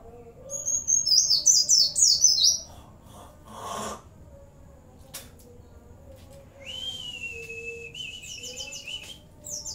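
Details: Oriental white-eye (pleci) with cililin, bren and cigun fills: a burst of fast high descending chirps, a rustling knock, then a long steady thin whistle stepping upward and more brief chirps, over a low hum.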